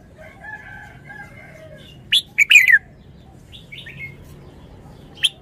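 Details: Red-whiskered bulbul in wild-style song: soft, thin whistles from other birds at first, then one loud burst of three sharp notes sliding down into a warble, a brief quiet trill and a final clipped chirp.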